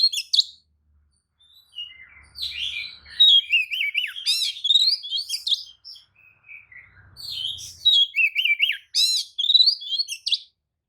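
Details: White-rumped shama lure song with spread tail to provoke other kacer; long flowing sequence of whistles, trills and harsh notes, with a short pause midway.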